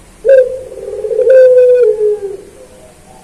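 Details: A puter pelung Barbary dove, recorded as training material for kept doves. One deep coo bursts in, rolls and throbs, and then glides into a long, slowly falling tone that trails off before another coo begins.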